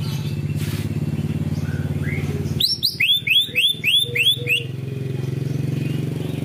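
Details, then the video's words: Greater green leafbird in 'ngunci kenari' song material: a clear series of about six loud upsweeping whistles lasting two seconds, set against a continuous low engine-like drone. "cucak ijo materi ngunci kenari"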